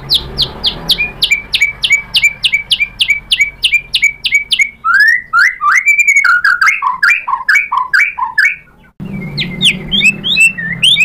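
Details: White-rumped shama stirred into answering, showing its learned repertoire: a long series of sharp paired notes repeated quickly, then loud varied whistled and warbled phrases, ending with high chirps.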